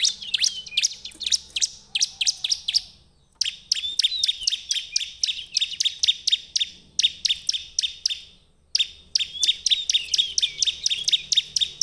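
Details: Bar-winged prinia song used as a lure to make other prinias sing. Long runs of fast, sharp, high chirps repeat in rhythmic series broken by two brief pauses, with faint thin whistles underneath.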